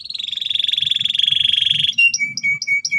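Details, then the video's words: Loud, insistent canary singing, played so young canaries quickly learn the ngeriwik sound. A long sustained pulsing whistle holds for two seconds, then short clipped notes alternate with a lower steady tone. "suara kenari gacor ngotot keras biar kenari paud cepat belajar bunyi ngeriwik"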